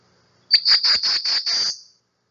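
Black-throated Blue Warbler: a quick run of about six high, buzzy notes held at one pitch, lasting under two seconds, with no other sounds.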